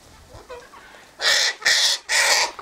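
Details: Sulphur-crested cockatoo by an eastern gate, feeding on tossed sunflower seeds, wheat and birdseed mix: three loud, harsh, raspy screeches, each about a third of a second, following a quiet start.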